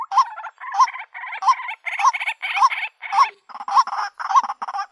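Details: Female white-breasted waterhen calling to find a mate, giving eight hoarse, chuckling phrases in steady succession, each built around a nasal up-and-down note, roughly every 0.6 seconds with no pause between them.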